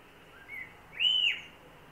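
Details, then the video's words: A male common blackbird on lookout for danger, about 9:25am on an overcast morning, 6 July 2024, sings a brief fluty phrase: a soft low whistle, then a clearer arched whistled note, over steady hiss. "Blackbird (male) on lookout for danger, and singing"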